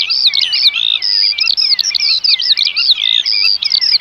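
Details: Eurasian oystercatchers in a busy piping chorus of loud, shrill, clipped notes. Several birds overlap in fast, uneven bursts with hardly a gap.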